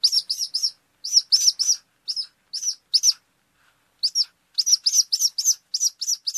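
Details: In a garden in Slovakia, a Eurasian sparrowhawk gives sharp, high chattering notes, about three a second, in quick runs broken by short pauses; nothing else is heard.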